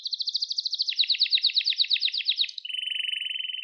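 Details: Canary singing for the training of young canaries: a quick pulsing trill of high notes steps lower into rolling beats, then changes to a steady, even lower rattle; clean recording.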